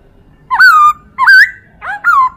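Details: Chinese hwamei tutor song for training other birds: three loud, clear whistled phrases, each rising sharply and then gliding down, spaced about half a second apart.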